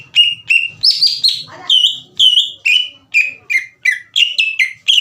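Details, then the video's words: Green leafbird song as a lure for rival birds that are slow to respond, a steady stream of clear downward-sliding whistled notes, one rough lower note early on, repeated at about two per second. "MASTERAN DAN PANCINGAN CUCAK IJO LAMBAT PANAS UNTUK MEMICU EMOSI LAWAN AGAR GACOR"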